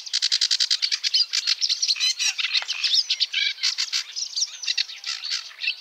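A sedge warbler sings a fast, unbroken stream of harsh chattering notes, with rapid repeated stutters and brief sweeter whistles mixed in. No other sounds intrude.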